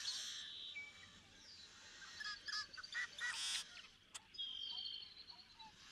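Cinnamon teal giving rough, chattering duck calls in short bursts, with thin high chirps and a steady hiss of background noise.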